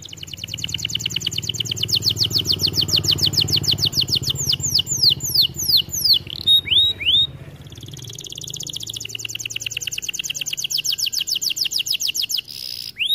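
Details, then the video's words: Long canary song for training: sustained fast rolling trills of sharp repeated notes, broken midway by a few swooping whistles, then another extended bright trill to the end. "Melodies Canary bird song | Training video"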